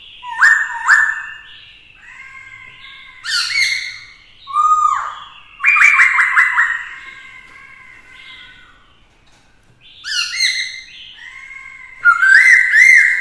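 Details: Caged black-throated laughingthrush singing in many voices to provoke rival birds, accompanied by a female: a long run of separate phrases mixing rich trills, rapid stuttering notes, slurred whistles and bright rising calls, with short pauses between.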